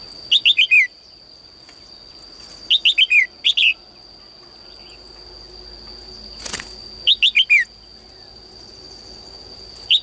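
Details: Female bird in a cage giving morning song that urges males to sing more: quick groups of four or five descending chirps, repeated every two seconds or so, a single sharp click midway, constant thin whine behind.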